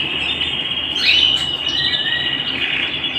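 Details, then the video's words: A singing canary at home delivers a long even high trill, broken by a quick bright flourish of upward notes, then continuing its rolling tone with a lower fading phrase. "canary bird - canary singing - canary sounds - canary singing at home - beautiful canary birds"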